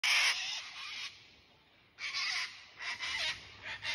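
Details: A sulphur-crested cockatoo (Cacatua galerita) gives harsh, raucous screeches: a long grating blast followed by several shorter rasping shrieks.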